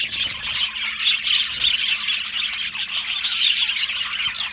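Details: Australian budgerigars, a colony in an aviary, chattering together in a dense, continuous mass of high, rapid chirps and warbles with scattered squawks, no pauses throughout.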